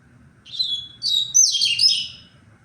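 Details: One phrase from a tui-tui style double-collared seedeater, recorded 23 February: a high whistle leading into a rapid jumble of bright, buzzy, downslurred notes, with faint low hum behind.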